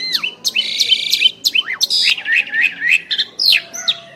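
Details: Two Asian pied starlings singing together, mixing buzzy rasps with quick looping whistled notes in fast succession.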